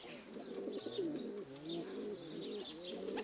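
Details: Tame female pigeon in an aviary answering a person who coos and bows at her: soft, low, wavering coos that rise and fall, run together over three seconds, with faint chirps from other birds above.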